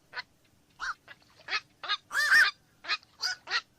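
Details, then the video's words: Black-crowned night heron calls in a busy run of rough squawks, overlapping notes with one long, drawn-out harsh croak in the middle. "SUARA BURUNG KOAK MALAM"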